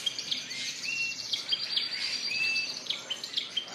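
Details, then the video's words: Canaries, Spanish Timbrado and Gloster breeds, singing caged in a bird shop on April 9, 2016: continuous high chattering with clear whistled notes, some rising and some held, overlapping from several birds. "Singing Canaries"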